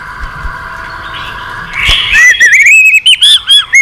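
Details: Stimulated white-rumped shama: after a stretch of hiss and a thump, a bright rising whistle leads into wavering whistled phrases with brief breaks.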